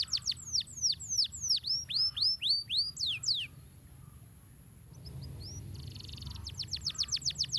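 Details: Canary singing as a training master song: a long string of loud looping downslurred whistles, a quiet gap with soft chips, then a short buzzy note and a fast run of sharp descending sweeps.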